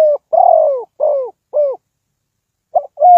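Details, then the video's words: Spotted dove used as a decoy to lure birds into a trap, giving mellow cooing notes: a short lead-in coo, then several drawn-out, slightly falling coos, a pause, and a fresh phrase starting; no other sounds. "Cu gáy Ninh Thuận"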